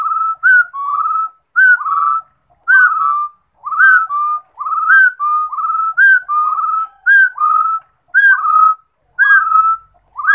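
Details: A rufous-throated partridge sings a long run of mellow whistles, each phrase a quick higher note followed by a drawn-out lower tone, evenly spaced about a second apart.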